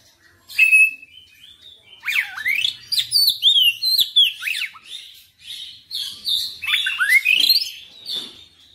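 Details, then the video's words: An oriental magpie-robin sings nonstop, showing its full repertoire: a loud whistle, then quick sequences of swooping slurs, wavering high notes and chattering chips, with varied phrases following one after another. "KACER NGOTOT GACOR FULL BONGKAR MATERI"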